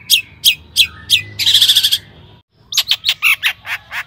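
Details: Long-tailed shrike singing to prompt other shrikes: spaced sharp chips lead into a rapid ringing trill, a brief pause, then a quick mix of varied high notes.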